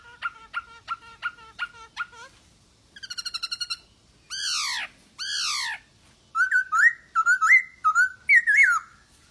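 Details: Actively singing masked laughingthrush, meant to prompt quiet birds to respond: a string of repeated clipped notes, a fast rattling trill, two long down-slurred screechy notes, then loud rising, warbled whistles.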